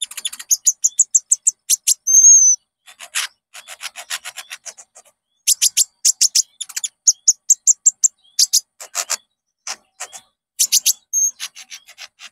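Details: Konin lure song for getting caged birds to sing: long, lively bursts of rapid high chirps and trills, broken by short pauses, with a drawn-out whistled note near the start.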